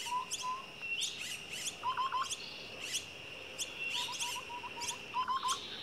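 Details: Common myna (Acridotheres tristis) at a nest with chicks gives harsh chattering chirps mixed with short, clear whistled notes in quick runs, over a steady high-pitched hiss.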